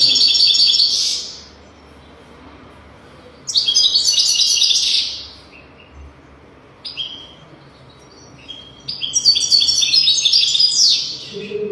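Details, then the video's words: Song of a European goldfinch used to tutor young goldfinches: three loud bursts of rapid, tinkling, buzzy twittering, separated by pauses of about two seconds with a few short whistled notes between. "تغريد رهيب طائر الحسون"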